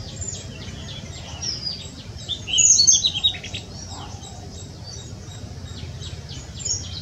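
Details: Territorial male Blue-throated flycatcher singing at GKVK, India: a brief burst of high, sweet, tinkling notes with scattered thin chirps around it over a low background rumble.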